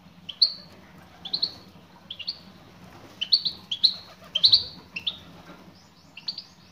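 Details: European goldfinch female calling to a male, producing paired bright tweets roughly every second, some bursts louder, over a quiet low hum.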